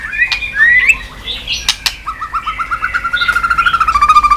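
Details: Tail-flicking white-rumped shama on a cage perch, sung to stimulate singing: a few rising whistles and sharp snaps, then a fast run of short, evenly repeated notes that speeds up toward the end.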